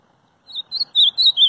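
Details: Ultramarine grosbeak giving a short burst of five clear, high whistled notes, some rising and some falling, in quick succession against a quiet background.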